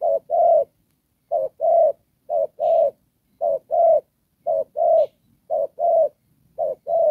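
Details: Spotted dove kept as a ground decoy for trapping, singing in the Đồng Pha style: paired low coos, a short note then a longer hooting one, repeated steadily about once a second in a quiet setting.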